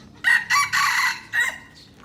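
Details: Young red junglefowl from Aceh, kept as a lure bird, crows in a clipped series of four loud harsh notes, the third longest, over quiet background.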